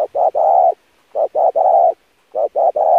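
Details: Loud spotted dove cooing for training decoy birds: three quick phrases, each two short coos leading into a long rough coo, in close succession.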